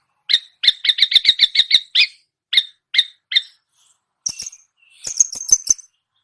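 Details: Long-tailed shrike imitating songbirds, opening with a fast chattering trill, then spaced chirps, and ending with thin, very high piping notes.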